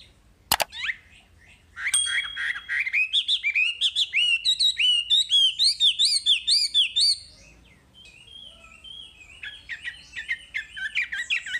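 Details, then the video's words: Wambi singing for a masteran training recording: a sharp click, then from two seconds a fast run of bright chirped, looping whistles repeated about twice a second, followed by a softer, scratchier twittering passage. "Masteran Wambi paling istimewa full materi"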